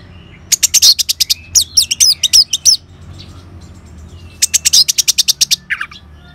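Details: Caged orange-headed thrush singing ngeban style to stimulate other caged birds: rapid series of high chirps and twitters in three bursts, with a lower slurred note at the end.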